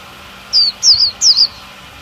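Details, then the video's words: A female Oriental white-eye, a cage bird used to trigger male singing, gives three high, wavering, slurred notes in quick succession against a low steady hum. "Chúa khuyên mái - khuyên mái kích trống siêu líu"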